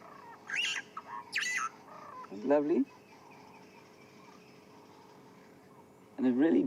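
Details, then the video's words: A dove at sunset in Sabi Sand, South Africa, on a relaxed April 10, 2016 afternoon, gives two low, wavering cooing phrases about four seconds apart; higher, scratchy chirps from another bird, likely a starling, come earlier. "you can possibly also hear the dove going. It's lovely."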